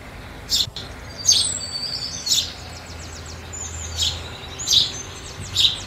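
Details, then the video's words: House sparrows feeding during New Year 2022 chirp around six times, each note short and bright, while faint thin whistles and ticking notes run softly behind. "House Sparrow Sound in 2022"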